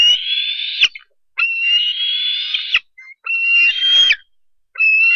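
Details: At the Harrison Bay nest, 10 July 2015, a bald eagle eaglet squees for a fish brought by its parent: long, loud, slightly rising whistled squeals about a second each, ending in abrupt downward breaks, separated by short pauses.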